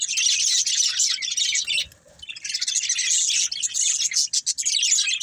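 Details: Budgerigars kept as pets, playing and eating, pour out busy high twittering and chirps; the chatter briefly drops to near silence around the second second, then resumes just as dense.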